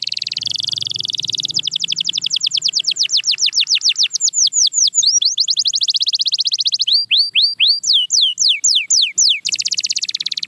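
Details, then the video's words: Canary singing, meant to prompt silent canaries to sing again: a long run of very rapid high trills, sliding whistled notes repeating several times a second, changing tempo and pitch across the phrase. "Watch Silent Canaries Start Singing Again"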